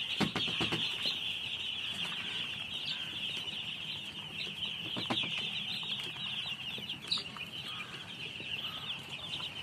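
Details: Many baby chicks chirp together in a steady, high-pitched wash of rapid peeps, with a few scattered taps and knocks.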